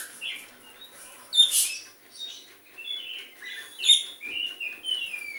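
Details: Oriental magpie-robin with sooty-headed bulbul mimicry: scattered clear whistles and brief chirps, two louder bursts standing out, separated by soft pauses.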